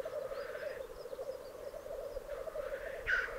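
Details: Black grouse males displaying at a lek in the Piedmont Alps, Italy, in 2022: a continuous low bubbling, rolling coo runs throughout, and a sharp hissing sneeze bursts out near the end.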